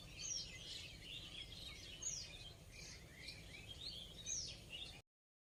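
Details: High-pitched squeaky chatter from rose-ringed parakeet, short chirps and bent whistles tumbling over one another, a few louder shrill notes standing out, steady low hum underneath, ending in abrupt silence for the final half second.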